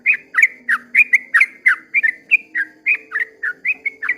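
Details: Short stretch of a sooty-headed bulbul's long 'ropel' dawn song: loud, liquid whistled notes in quick succession, each swooping down then up, with a soft low hum behind.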